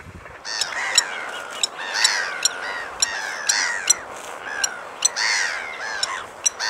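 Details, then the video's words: A Blacksmith Lapwing gives sharp, metallic 'tink' notes like a hammer striking an anvil, repeated irregularly, with harsher ringing calls between them. "Blacksmith Lapwing"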